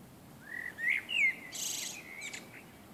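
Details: Common blackbird singing on a summer evening: a few mellow, fluting whistles that slide up and down, then a high, scratchy twittering flourish to close the phrase.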